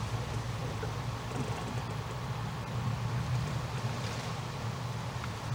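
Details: Low rumbling wind and water noise near Lake Okeechobee, Florida, with no animal voice standing out.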